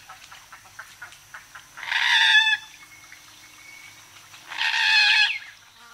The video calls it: Moorhen. Mc-MCU Calls